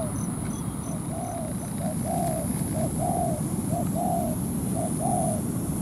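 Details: Ground-trap decoy spotted dove cooing to draw a wild rival down to fight: a rapid series of soft paired coos and longer rounded notes, about four per second, with faint high ticks early on.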